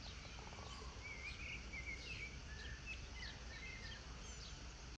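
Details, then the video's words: Garden birds at sunset give brief twittering chirps, some rising and falling, spread across the clip against continuous low background noise. "Sunset, peace, birds chirping"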